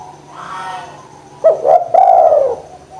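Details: Spotted dove in full voice, used as a lure to get reluctant doves to call: one low, hoarse phrase of a short rising note, a quick second note, then a long drawn-out falling coo, with a steady low hum behind.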